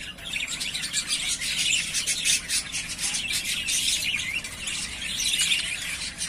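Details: Yellowface spangle budgerigars, three breeding pairs said to be ready to breed; dense, continuous high chirping and squeaky chatter from several birds overlapping throughout with no real pauses, over a faint low background rumble.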